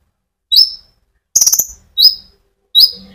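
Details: Sunbird song played to provoke other birds: four bright, thin upslurred whistled notes with one quick high ticking trill between them, spaced roughly half a second to a second apart.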